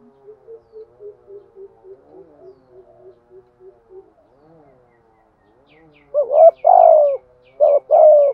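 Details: Spotted dove used as a decoy, first heard as a series of soft, low, evenly spaced hoots, then breaking into loud mellow coo phrases with a wavering start and a long sliding tail, with faint high chirps behind.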